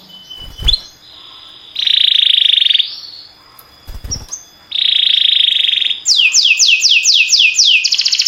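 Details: Singing canary: two long, dense, buzzy trilled rolls, then a rapid run of about eight sweeping descending whistled notes leading into another rolling trill, with two dull low thumps early on.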